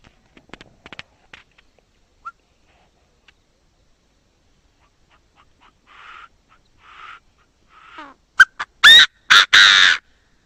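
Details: Chinese francolin calling, a recording used with a lure speaker for trapping: faint scattered clicks and soft notes build into a loud, harsh, rasping phrase of several broad bursts near the end.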